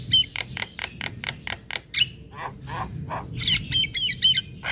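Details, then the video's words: Javan myna master recording with full fill-ins for young birds: a quick series of regular harsh rasps, a few spaced lower notes, then a burst of high whistled warbling at the close, over a low rumble. "Pancingan Dan Masteran Jalak Kebo Full isian Pas Buat Jalak Kebo Muda"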